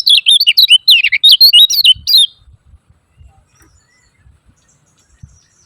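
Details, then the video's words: Lemon-bellied white-eye 'ciak ciak' lure call for stirring silent birds to sing: about two seconds of dense, shrill, twisting chirps in quick succession, then near silence with faint low knocks. "SUARA KECIAL KUNING CIAK CIAK JOS PALING AMPUH UNTUK SEMUA KECIAL KUNING MACET"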